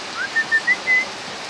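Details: Golden bulbul (kutilang emas) giving a loud song: a short series of clear whistled notes around one pitch, the last slightly longer, over steady background hiss.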